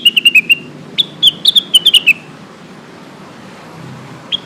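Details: Lesser green leafbird calling its companions, used to prompt silent birds into song: an opening string of five quick, thin chips, then a louder run of ring-like, downward-bending whistles, followed by near silence and one last note.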